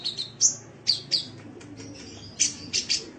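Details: Sunbird heard on a training recording for caged birds: a few loud, thin, very high chirps and squeaky notes spaced irregularly, over a hissy background with a low hum.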